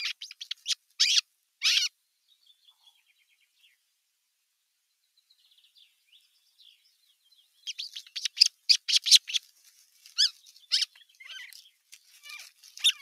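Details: Osprey chicks at nest #1 quarrel on 15.6.2023 as an adult looks on; a few loud chirps, a near-silent stretch with faint thin notes, then a rapid flurry of high squeaky calls.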